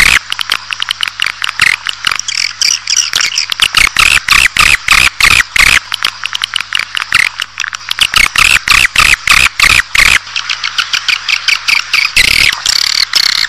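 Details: Swiftlet calling sound intended to attract a colony into a building: long run of evenly spaced sharp clicks, with high chirping and buzzy twitters woven through, over a constant low hum.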